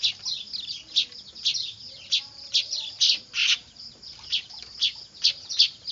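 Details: Weaver chicks calling noisily, a manyar recording meant for luring birds; strong raspy high chirps recur roughly every half second over continuous thin twittering.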